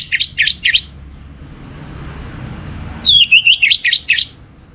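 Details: Orange-headed thrush pancingan lure song: clusters of quick, piercing chirped notes, then a bright descending whistle running into rapid repeated chips, with a quiet gap between bursts and faint low background noise.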